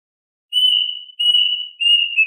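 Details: Plaintive cuckoo calling its flock with three long, pure whistled notes at an even high pitch. The last note dips slightly lower before it is cut off. No other sounds are present.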